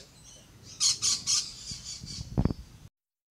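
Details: Rainbow lorikeets climbing a fence give a quick run of three harsh, buzzy screeches, then softer fading squawks and a few low clicks, over a quiet outdoor background.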